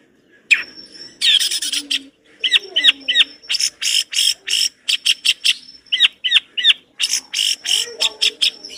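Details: Long-tailed shrike pouring out a busy, complete song: harsh rasping bursts, quick triple slurred whistles and a rapid string of sharp ticking chips in close succession, with faint low clucks in the background.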